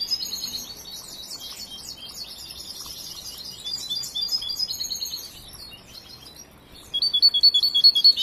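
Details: Young European goldfinch, song still unfinished after training, gives a long high twittering phrase, falls quiet, then ends with a loud series of rapid repeated metallic notes.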